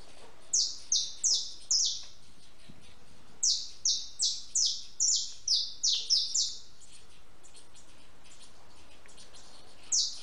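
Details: At a backyard feeder where it eats and drinks, a house sparrow chirps in lively bursts of sharp downward-sliding notes, about a dozen over several seconds, then falls quiet before one last cheep; background hiss throughout.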